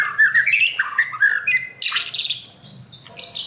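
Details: White-rumped shama in training, singing a varied song of slurred whistles, rapid twittering and harsh buzzy bursts, delivered in quick phrases.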